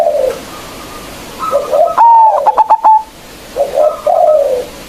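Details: Local zebra dove lure to make rivals sing: low murmured coos rise into a loud sustained note with rapid clipped beats, followed by more soft coos and a faint higher tone.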